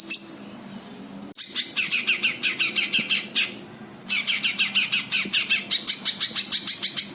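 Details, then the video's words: White-eye (cucak kinoi) lure call for untrained birds: a brief high note, then long runs of evenly spaced harsh chattering notes, several per second, in repeated bursts. "Suara Burung Cucak Kinoi, buat pancingan Kinoi bahan"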